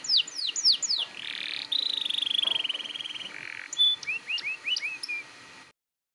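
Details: Canary song for training young canaries to sing: a few falling whistles, a buzzy rattle, a long sustained wavering trill, then short rising chirps before stopping.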